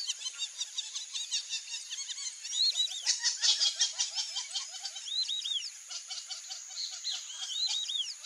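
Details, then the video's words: A flock of white-faced whistling ducks giving many high, clear whistles, each an arched or down-slurred note, overlapping in a busy chorus with repeated lower short notes beneath and a steady hiss behind. "IRERÊ bando (DENDROCYGNA VIDUATA), WHITE-FACED WHISTLING-DUCK, PATURI, MARRECA-VIÚVA, MARRECÃO."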